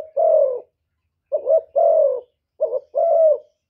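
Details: Spotted dove giving its rival-provoking coo: short, soft, hollow notes, a quick double coo followed by a longer drawn-out coo, repeated twice, in quiet surroundings.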